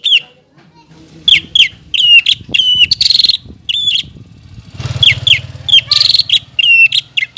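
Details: Greater green leafbird in steady song, recorded to prompt young birds to sing: regularly spaced sharp chirped whistles with occasional buzzy bursts, and a low rumbling background noise in the second half.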